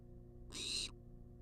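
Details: One short, rasping hiss from a wild barn owl demanding food in a monitored nest box, under half a second long, over a low steady hum.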